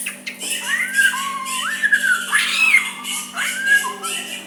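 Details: Soft white-rumped shama song used to goad a rival into answering. Mellow sliding whistles rise and fall in connected phrases, with one brighter upward-swept note midway and a faint constant hum beneath.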